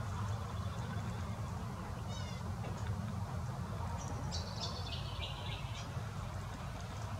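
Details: Double-barred finch while feeding, giving thin, high chirps: a quick rattled burst, then a stepped run of bright notes, over a steady low rumble.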